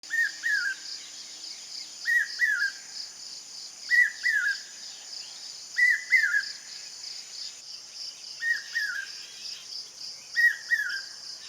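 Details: Common hawk-cuckoo, the brain fever bird, giving its brain-fever call: shrill three-note phrases rising slightly, repeated roughly every two seconds, over a constant high insect buzz.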